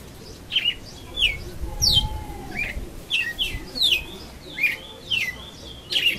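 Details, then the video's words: Young brown red-cowled cardinal learning its song little by little: a series of short, sharp descending whistled notes, sliding from high to mid pitch, repeated roughly every half second with brief gaps. "FLAUTINHA APRENDE DEVER DE CASA AOS POUCOS - GALO DE CAMPINA"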